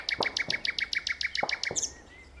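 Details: Steady, fast series of identical short notes from a nightingale singing in a tree, about six per second, punctuated by a few deeper knocking sounds before the phrase trails off.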